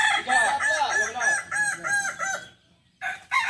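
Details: Kokok balenggek chickens at a joint practice gathering in Solok: a rapid run of about nine short, arched crowing syllables over roughly two and a half seconds, a brief silence, then more crows breaking in.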